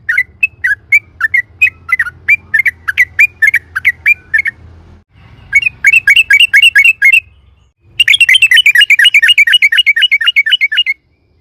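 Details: Loud lure song of a sooty-headed bulbul meant to set other birds singing: a string of spaced chirps, then a faster run, then a very rapid, rich chatter of tightly packed slurred notes after a brief pause.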